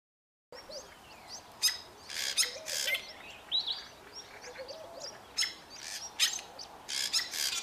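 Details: A pair of Fork-tailed drongos sing together: a jumbled run of harsh, metallic, buzzy bursts mixed with thin high whistles, tumbling irregularly with brief gaps, over soft outdoor hiss.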